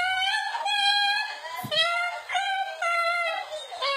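A cockatoo sings in mimicry: a string of nasal, voice-like syllables held on a fairly steady pitch, slightly echoey as if indoors.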